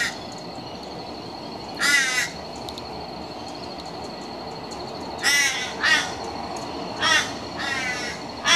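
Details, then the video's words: A juvenile and an adult Torresian crow at a residence, dated 020215, giving harsh, nasal caws in short bursts, some single and some in quick pairs, over a steady faint hiss. "Juvenile and Adult Torresian Crow"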